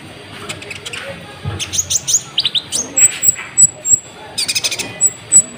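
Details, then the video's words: Lively sunbird singing, offered as a lure to provoke other birds: a busy jumble of high sweeping chirps and twitters, followed by evenly spaced piercing whistles and a dense chattering burst near the end. "PANCINGAN KONIN GACOR, AMPUH BUAT MENAIKAN EMOSI BURUNG"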